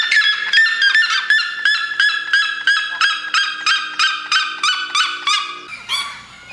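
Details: A dense, unbroken chain of loud yelping notes from a red-legged seriema, about three per second, holding strong and then tailing off near the end.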